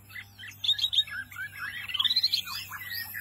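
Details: Small white-eye, called wambi mini, singing energetically: a fast, varied jumble of high chirps and twittering notes, with a rising run of quick trills in the middle and a steady low hum underneath.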